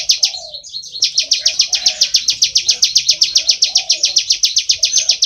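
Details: Bar-winged prinia, known locally as ciblek sawah, singing actively in full ngebren style: a long unbroken run of sharp, buzzy chirps, about four a second, with a soft low cooing murmur underneath.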